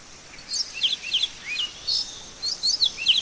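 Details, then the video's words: Great-billed seed finch singing in nature: a run of short, clear whistled notes, some slurred upward or downward, in quick bursts across the clip, with faint background hiss. "Som do canto do pássaro Bicudo"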